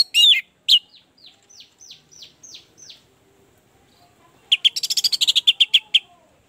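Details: Orange-headed thrush song meant to coax a reluctant bird into singing: sharp high notes, a series of soft rising whistles, then a rapid burst of buzzy, rattling warbles.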